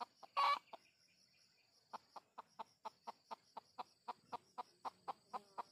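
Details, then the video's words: Junglefowl recorded during luring of wild birds: one loud harsh burst, then a steady series of about fifteen short, sharp clucks, evenly spaced roughly every third of a second, over a constant high insect hiss. "Pikat Ayam Hutan Jelek"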